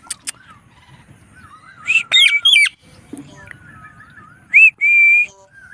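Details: An Indian ringneck parakeet gives loud, shrill squawks in two bursts, with soft wavering whistles and a few sharp clicks between them.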